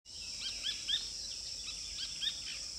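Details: At La Ensenada, Santa Bárbara, Honduras, a Rufous-breasted Spinetail sings short, arched, chattering notes in quick bursts, set against a steady high insect drone.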